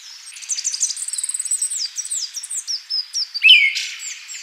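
A Siberian thrush gives a fast run of high, thin twittering and sliding notes, closing with a louder, lower, buzzy note. Little else is heard.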